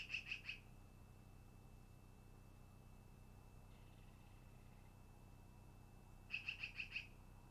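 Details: Long-eared owl at the nest on 10 August 2018 around midday: two bursts of high squeaky notes, three then five, separated by a long quiet gap with steady hum.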